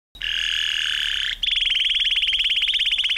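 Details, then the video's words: Canary singing a long, steady, ringing whistled note, then switching to a fast, even, rattling trill of tightly repeated high notes that runs on to the end. "آواز قناری"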